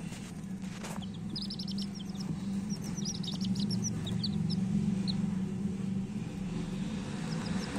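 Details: High, scattered peeps from coloured hen chicks, some in quick runs and some single, partly masked by a loud, steady low engine drone.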